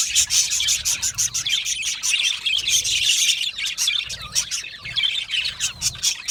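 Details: Budgies in a colony chirping when content; lively dense chatter of high chirps, whistles and rattling clicks, many birds at once, loud and continuous with brief pulsing rises.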